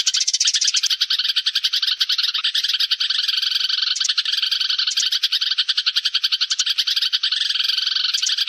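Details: Sparrows giving a flock call, recorded as a lure: a dense, continuous chatter of rapid high chirps, many overlapping and repeated several times a second, with no pauses or other sounds.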